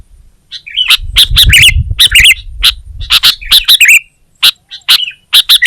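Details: Sooty-headed bulbul, kutilang, singing gacor-style: bright clipped notes and twisting warbles come in bursts, a pause near four seconds, then more spaced chips; low murmur early on.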